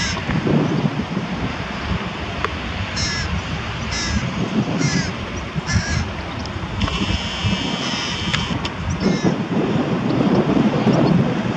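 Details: Near Diemerbos on 22 July 2020 a carrion crow feeds prey to its young: a series of short, harsh calls, then a longer drawn-out one, with gusty wind noise throughout.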